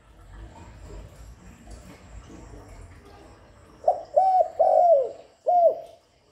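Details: Luring call of a spotted dove: quiet background, then a phrase of low mellow coos, two short notes, a long rolling coo, and a final falling note.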